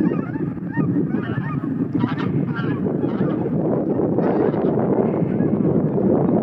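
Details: Flock of cackling geese lifting off at a fairly quick pace. Distinct yelping honks stand out above a thick bed of overlapping calls and low rumbling noise, growing denser toward the end.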